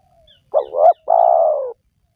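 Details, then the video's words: Spotted dove, a recording played to lure lazy wild doves into calling. One phrase: two short, wavering low coos, then a long, steady coo that sinks slightly at the end. Clean background. "Pemancing Burung Tekukur Yang Malas Bunyi,Langsung Rajin Bunyi"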